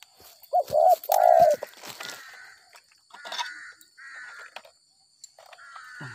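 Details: Spotted dove trapped after rain, known for its 'gagap 6 mata' stutter style. A loud, low coo pair comes first, followed by scattered clicks, rustling and several short higher whistled notes from other birds.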